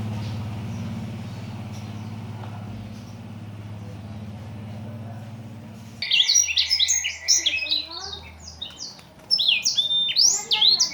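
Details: Blackthroat, an imported small bird, singing as master song: six seconds of low humming background, then a sudden rush of dense, high chattering and twittering phrases, pausing briefly before another burst.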